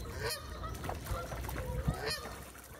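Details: Canada geese in a flock, recorded 14 May 2023; two loud nasal honks with a few softer calls between them, set against low-pitched background rumble.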